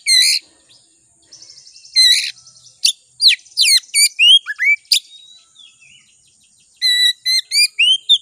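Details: Oriental magpie-robin (kacer) singing as a lure to excite kacer; loud harsh bursts and a ticking rattle, then rapid sharp chirps and falling whistles, a pause, and a fast repeated series of clear notes.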